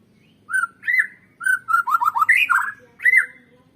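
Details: Song of a white-rumped shama used to coax birds into singing: separate whistled notes, then a fast tumbling string of down-slurred whistles with a higher upward sweep, closing on one loud note.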